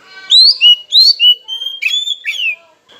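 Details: Oriental magpie-robin song used to goad rival birds into singing: a quick, lively series of whistled notes that sweep up and fall away, about six phrases in three seconds.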